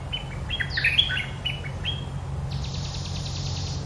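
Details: Red-whiskered bulbul singing: a run of clear whistled notes, some slurred up and down, then a fast buzzy rattling trill, over steady low background hum.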